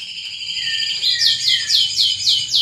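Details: Greater green leafbird, large-bodied and loud, giving a buzzy high note that breaks into a string of five quick sharp downslurred chips, evenly spaced about every quarter second.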